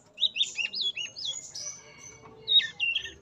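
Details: Male yellow-rumped flycatcher, tame, in a breeding enclosure, singing with open beak and moving tail: a quick series of clear, high, slurred whistled notes rising and falling, a brief pause, then two more bright whistles near the end.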